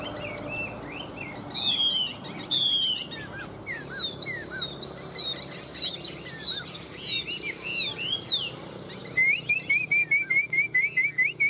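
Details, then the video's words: Loud, varied song from a caged tail-fanning hwamei with good fighting spirit. Rich swooping whistles lead into a long evenly spaced string of ringing notes, then a rapid staccato run of short repeated chips. "Họa mi xòe cực vip - Bản lĩnh đấu tốt"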